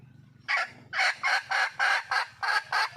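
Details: Female wild junglefowl seeking a mate: after a moment of soft low hum, eight loud, coarse cackles burst out in quick succession, spaced roughly a third of a second apart.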